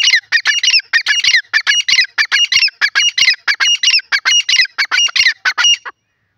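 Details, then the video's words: Grey francolin giving a long, steady run of loud, grating phrases, each a cluster of harsh clipped notes, repeated roughly every half second without pause. "jungli teetar beautiful awaz,grey pheasant bird awaaz"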